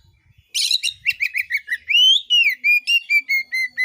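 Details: Song of an oriental magpie-robin used to spur other magpie-robins into singing: rapid harsh notes give way to a long swelling whistle and then a steady series of about ten clear chirps.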